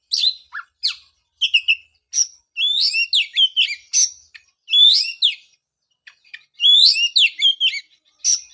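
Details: Song of an Oriental magpie-robin, meant to encourage a bird silenced after moulting into singing again. Bright whistled notes, warbles and rising sweeps come in clustered bursts of roughly half a minute's worth of phrases, with thin clicks between.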